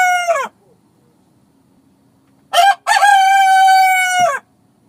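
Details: Rooster crowing at dawn in the countryside: the clipped end of one crow, a pause, then a full crow with a short harsh opening note and a long, steady, strongly harmonic held note that drops at the close.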